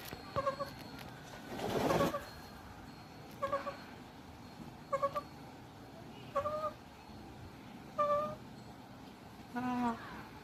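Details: Soft, whispering calls of a white Indian peafowl kept at a natural history museum: short nasal two-tone notes repeated about every one and a half seconds, one broad rustling noise early on.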